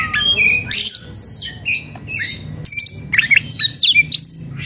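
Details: Agitated oriental magpie-robin in breeding condition, a kept bird, delivering bursts of sharp whistles, rapid up-and-down sweeps and scratchy notes separated by short pauses, over a low steady hum.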